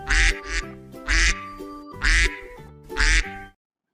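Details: Duck sound used in a school lesson on animal sounds, movement and habitat, for pupils to imitate together: a pair of short quacks, then three longer raspy quacks, with gentle music playing underneath.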